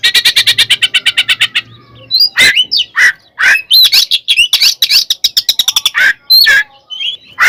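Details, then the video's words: Oriental magpie-robin fighting song, meant to make other birds aggressive: begins with a fast regular rattle of repeated notes, then loud swooping whistles and harsh chattering notes in quick succession. "SUARA BURUNG kacer gacor NGEPLONG NGEKEK TARUNG ini paling AMPUH buat PANCINGAN KACER agar EMOSI"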